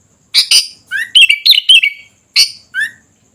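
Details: Sooty-headed bulbul singing loudly and lively; chattering notes lead into a run of rich, bubbling whistled phrases, then two short closing notes.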